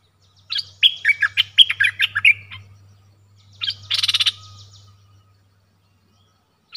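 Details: A streak-eared bulbul sings a lively string of bubbling, chattering chirps, then after a pause gives a harsher buzzy rattle of repeated pulses, over a faint steady hum.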